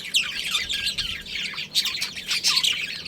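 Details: Breeding pair of budgerigars kept as a family colony, chattering continuously with high warbled, scratchy chirps and squeaks.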